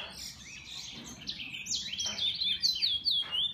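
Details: Song of a bullfinch kept by an owner: scratchy warbled notes build into rapid high whistled slurs, each swooping up and down, repeated about twice a second near the end.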